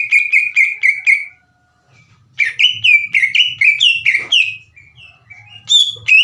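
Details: Captive green leafbird singing energetically, used by Indonesian keepers to goad other leafbirds into replying; a burst of five repeated whistled notes, a pause, then a varied run of fast chirped and whistled phrases.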